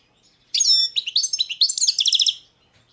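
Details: A caged Balkan goldfinch, Carduelis carduelis balcanica, in a 2022 World Championship in Goldfinch Song entry gives a single two-second phrase of liquid twitters ending in a rapid, evenly repeated trill.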